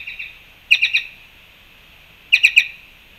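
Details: Black-chested jays at a fruit feeder in Panama on March 2, 2021: two quick series of three sharp, ringing notes each, over a steady high-pitched background drone.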